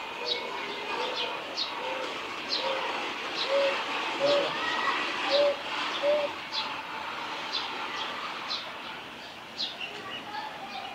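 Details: Northern boobook singing at Hiratsuka Shinmei Shrine, 21 May 2016, gives soft, low, evenly pitched hoots in pairs, roughly one pair a second, over a steady background hum with faint high chirps from other birds.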